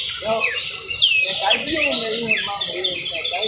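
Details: Canary trill: fast, sharp notes sweeping downward, mixed with lower warbling phrases and rising and falling chatter against a faint background hiss.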